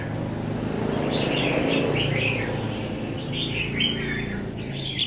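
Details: Wild-caught red-whiskered bulbul after ten days in a cage, of bold temperament, singing short warbled, bubbling phrases in two bursts over a steady low rumble of road traffic.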